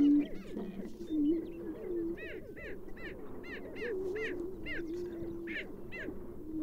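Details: Greater prairie-chicken: a steady low hooting drone with overlapping whooping notes, and sharp cackling calls repeated above it through most of the stretch.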